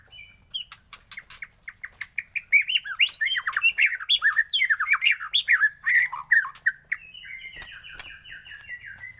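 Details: White-rumped shama, morning lure recording meant to set other shamas singing: rapid run of short whistled notes, about two per second, climbing into dense slurred phrases, then a softer warbled trailing passage with faint clicks.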